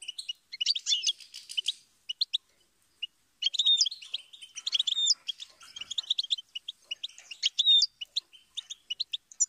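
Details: Goldfinch singing: rapid, high twittering phrases of short chirps and thin whistled slurs, a burst of about two seconds, a brief pause, then a longer, denser run of jangling notes to the end.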